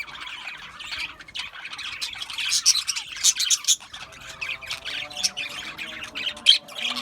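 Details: Australian budgies chirping and squawking, a dense overlapping chatter of short high chirps and harsh squawks, several birds calling at once with bursts of louder notes throughout.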